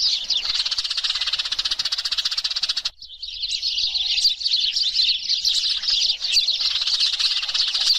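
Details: Noisy flock of Eurasian tree sparrows in a lure recording for attracting birds: rapid, buzzy high chatter for three seconds, a brief break, then a thick, jumbled stream of overlapping chirps and twitters.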